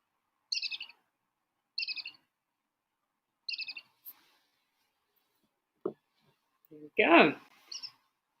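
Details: Brown-hooded kingfisher call from a recording played at an African waterhole, three short high chattering trills at regular intervals, followed by a click and a louder lower sweeping sound with one last faint trill.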